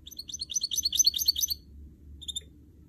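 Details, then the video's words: Caged goldfinch mule, a canary and goldfinch hybrid, sings a brisk high trill of quick chirped notes for about a second and a half, then adds a short separate chirp after a pause. "Motivating a goldfinch mule and song birds"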